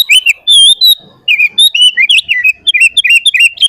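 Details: Energetic full-isian song of a sooty-headed bulbul, played to train and lure other bulbuls: clear whistled notes and a drawn-out tone, then quick bouncing chirps after a short gap.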